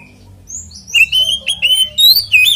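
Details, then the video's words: An Oriental magpie-robin delivers a 'ngeplong tarung' fighting song, used to make other magpie-robins sing: a brisk, continuous run of clear whistled phrases, some rising and some falling, packed with short slurred notes. "SUARA BURUNG kacer gacor NGEPLONG TARUNG konslet"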